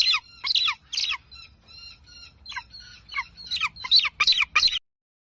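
An eagle gives a run of about a dozen high, squealing notes, each sliding downward, spaced roughly every half second and growing louder toward the end.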